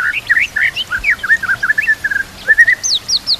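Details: White-rumped shama, its song filled with kapas tembak and cililin canary imitations for training other shamas: rich warbled whistles and slurred notes in quick succession, ending with a few high falling whistles.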